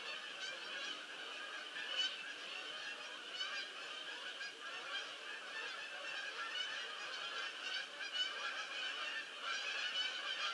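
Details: Geese landing in large numbers, recorded 22 October 2015: a thick wall of overlapping honks with a few louder calls standing out from the crowd, sustained throughout without pause.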